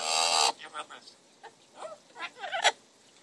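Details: A pet Double Yellow-headed Amazon parrot gives a loud, harsh squawk, then a run of short, throaty, speech-like syllables rising and falling in pitch.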